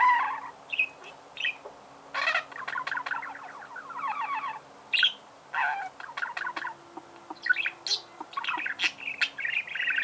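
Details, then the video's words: Budgerigar chattering in a long, broken sequence of clicks, short buzzy trills and squeaky chirps. A faint steady hum sits underneath. "Пение волнистого попугая"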